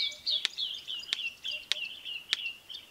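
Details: Red-crested korhaan in Kruger Park, South Africa, giving its very loud simple song of sharp, dry clicks about every 0.6 seconds, steady in pace, over a continuous high twittering of other small birds.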